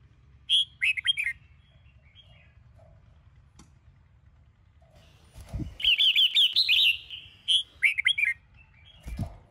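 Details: A red-whiskered bulbul in morning training song: a bright warbled phrase, a pause, then a rapid trilled run and further fluty phrases, with a couple of low thumps in the background.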